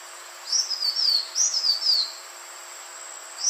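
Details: Green iora call used to attract birds: two linked runs of high whistles falling step by step, then a single rising note after a pause.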